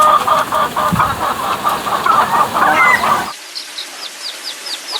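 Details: Chickens make weird noises, a rapid series of rough, pulsing cackles for about three seconds, then an abrupt switch to quieter, high, thin repeated peeps.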